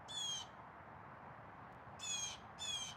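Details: A loud blue jay calls outdoors, spotted as it calls: one rasping, buzzy shriek, a long pause, then two more in quick succession, all harsh and ringing with overtones.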